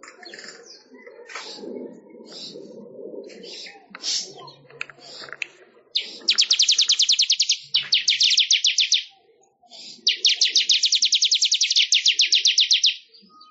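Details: Song of a manyar weaver, used as training material for songbirds: scattered clicks and chatters give way to three long bursts of very rapid, buzzy repeated high notes with brief gaps between.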